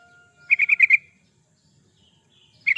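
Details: Chatty gacor song of a yellow-vented bulbul, meant as a lure and as a training master for captive birds: a short burst of five rapid, bubbling notes, then silence before another burst begins at the very end.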